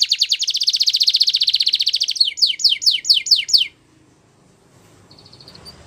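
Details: Belgian canary sings a long rapid even trill, then about six separate slower downward sweeps before falling quiet, with a faint brief note near the end; recorded to train young canaries.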